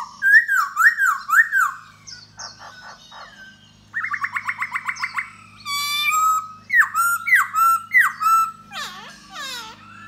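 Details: A Da Bò laughingthrush singing and dancing to draw a female gives a rich, loud sequence. Repeated looping whistles come first, then a fast pulsed buzzy trill, a rattle of high notes, more looping whistles and a final falling squeal.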